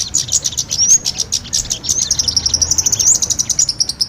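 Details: Kemade and sogon birds combined in a lure recording used for trapping small birds: dense, rapid, high thin chirps in a steady pulsing stream, about six to seven notes per second, with a few brief upslurred whistles.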